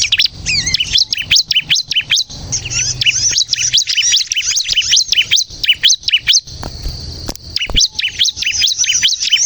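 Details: Bar-winged prinia singing vigorously as a lure for other prinias: packed high twittering with rising and falling slurred notes, one brief steady whistle, and occasional low knocks.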